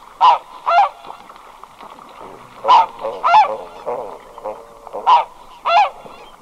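A single red-breasted goose gives sharp, high, yelping double notes, three pairs about every two and a half seconds, over faint background murmur.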